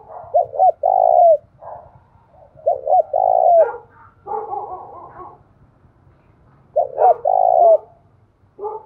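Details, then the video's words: Spotted dove calling in the forested hills of Dong Nai, Vietnam, giving low mellow three-part coos, a short note then a long sustained one ending in a brief downslur, repeated in phrases about every three seconds, with a softer rougher coo between. "Tiếng chim cu gáy thúc và gáy gọi vang cả núi rừng Đồng Nai"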